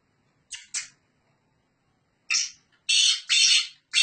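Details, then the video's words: Kala teetar, a Sindhi black francolin, calling on a keeper's hand: two quick rasping notes, a pause, then loud, harsh, grating buzzes in close succession. "Hath paw bolny wala Sindhi Gangus teetar"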